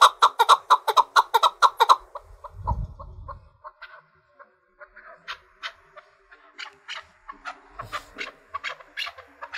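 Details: Chukar partridge, a bird trained to fight, singing to challenge rivals: a fast burst of loud, evenly spaced chuk notes for two seconds, a low thump, then quieter, scattered repeated chuks.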